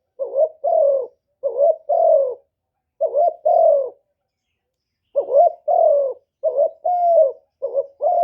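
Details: Spotted dove decoy bird calling to lure wild doves, a '1 hậu' style call: about six paired coos, each a short rising note then a longer falling one, with a brief pause mid-sequence, clean background.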